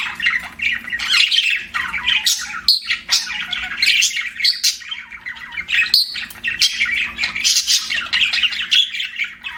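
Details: Lively budgie chirping: long run of scratchy warbles, squawks and quick tweets, briefly broken by short gaps, then resuming just as busily, with a faint low hum.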